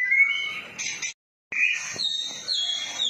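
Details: Song of a white-rumped shama, offered as tutor recording with cililin-style phrasing: bright whistled phrases and buzzy high trills, broken by a short pause, then layered sharp whistles resume.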